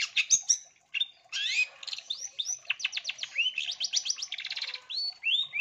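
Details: Long-tailed shrike singing actively, used as a lure and training song for other birds: a fast, varied medley of high chirps, rising whistled slurs and rapid buzzy trills, delivered in quick bursts with short pauses.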